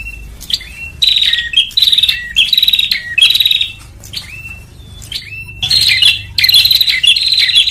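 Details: Bar-winged prinia lure call, used to draw small birds together, with bursts of sharp buzzy chattering trills near the upper range, alternating with clear rising and falling whistled notes, repeated roughly every second.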